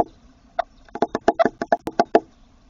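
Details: Eurasian wryneck at a tit nest box it has taken over: loud, close, nasal notes in a quick uneven run of about ten over two seconds, with little background noise.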